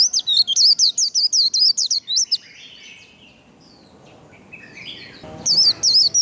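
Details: White-eye "líu" song for training: a rapid series of high, zigzagging whistled notes for two seconds, a pause with soft chirps and a low rustle, then the quick notes resume.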